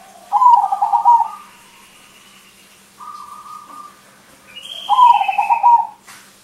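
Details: Loud crossbred zebra dove, its song used as a lure for other birds. Two rich, trilled coo phrases about four seconds apart, with a softer, level note and faint high whistles between them.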